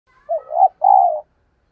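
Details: Decoy spotted dove calling to lure wild doves: two clean, mellow coos, the first short and the second longer and steady, with no other sounds.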